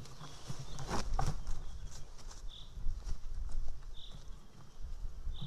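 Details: Young white-tailed eagle daughter screaming near the nest as her mother eats a freshly brought fish, morning of 8 July 2018; three brief high screeches spaced over five seconds among loud tearing clicks and knocks of feeding.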